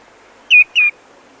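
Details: A Common Greenshank at Ngorongoro, recorded close up, gives alarm calls that grow more extreme: two loud, ringing, slightly falling notes in quick succession, with flies in the background.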